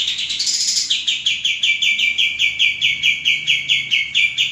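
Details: Common iora male, a tutor bird for training caged songbirds, delivers a brief high slurred phrase followed by an unbroken train of crisp, rapidly repeated chirps.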